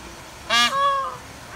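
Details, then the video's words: Female Indian peafowl calling: a single loud, harsh, honking note about three-quarters of a second long, rich in stacked harmonics, with a sharp onset that trails off into a softer, lower tail over a faint background hiss. "Female peacock calls"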